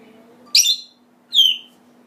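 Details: African grey parrot calling: two loud, shrill whistled notes about a second apart, the first sharply rising then falling, the second a clear descending whistle, over a steady low hum.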